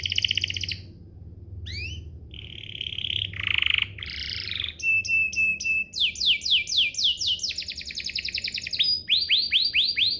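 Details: Canary singing a lure song to draw replies from other canaries: buzzy rolls and a harsh burst, then rapid repeated swept notes and fast trills over a faint low hum.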